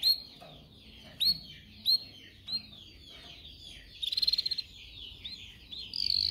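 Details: Canary song for training canaries to sing, Belgian canary mentioned: scattered rising chirps and short whistled notes with pauses, then a quick trill near the end.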